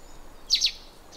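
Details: Russet sparrow singing on a morning at Senjogahara, Oku-Nikko, Japan: a quick pair of bright, high chirps, then a faint high note, against a quiet background hiss.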